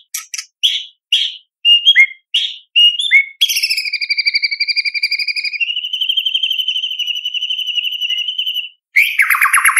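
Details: White-rumped shama giving mimicry-filled competition song for training juveniles: staccato chips and short whistles, then a long steady rattling trill held for several seconds before a harsh buzzy burst.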